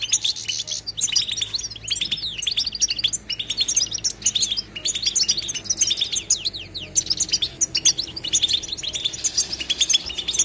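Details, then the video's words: European goldfinch singing in the batbata style, a non-stop song without pauses: dense, rapid twittering of bright high chirps and tinkling notes, with short buzzy trills woven through the flow. "بتبته حسون لا صمت"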